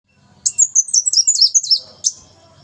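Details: Brown-throated sunbird singing in full voice, a rapid run of high, thin, sharply slurred notes lasting about a second and a half, then one bright separate note, with faint low murmur beneath.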